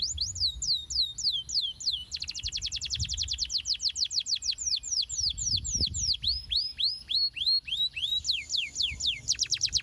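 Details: Canary song used as a lure for young canaries to sing often and roll long. Swooping whistled notes give way to a dense rapid roll, then slower slurred notes and another fast trill, with faint low knocks in the background.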